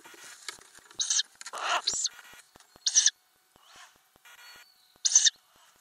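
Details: Ural owls in a nest box with adults and owlets, recorded by an in-box camera in May 2020; short harsh hissing bursts come about once a second, then after pauses, over quiet clicking and shuffling.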